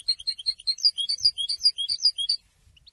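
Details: Goldfinch singing: a lively sequence of high, sweet chirps and liquid twittered notes, delivered quickly and unevenly for over two seconds before fading out.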